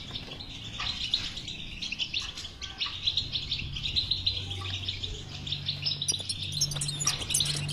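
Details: European goldfinch song meant to prompt a silent goldfinch to sing; steady chattering twitter with scattered high tinkles and a low hum underneath.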